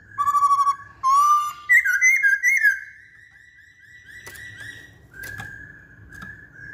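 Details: Masked laughingthrush in full song: a few loud, clear whistled notes near the middle range, one sliding upward into a warbled phrase, then trailing into a faint steady tone with a couple of sharp clicks.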